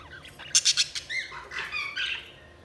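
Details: Budgerigar chirping: a quick cluster of three harsh squawks, then warbled whistles and sliding chirps that rise and fall, with soft chatter behind.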